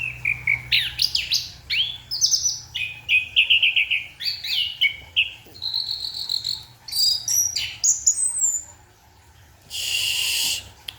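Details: At night an orange-headed thrush delivers a full-voiced masteran-style song: a varied string of whistled, warbling and trilled phrases jumping between lower and very high pitches, with short pauses, then a brief burst of hiss-like noise.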